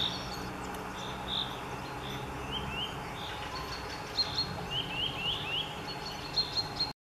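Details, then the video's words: Eurasian nuthatch in Minsk, May 1, 2021: a run of short, clear whistled notes, some slurring downward, given in loose series and quickening toward the end, with a constant low hum behind. "Папаўзень звычайны / Поползень обыкновенный / Nuthatch (Sitta europaea)"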